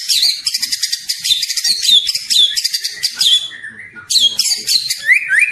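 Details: Young spotted White-rumped shama in lively song: dense chattering, buzzy high phrases with quick warbled notes, a short falling whistle, then renewed rapid twittering with rising slurs.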